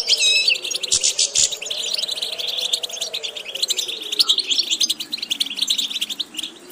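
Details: Goldfinch song aimed at training birds toward varied repetitions: bright buzzy burst at the start followed by a continuous stream of fast liquid twitters and trills, a couple of sharp clicks, faint drone underneath.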